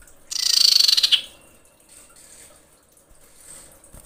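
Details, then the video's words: Female common iora in breeding condition calling to males with one loud, dense, buzzy rattle of rapid pulses lasting nearly a second, then near silence. "SUARA SIRPU/CIPOH BETINA BIrahi memanggil jantan"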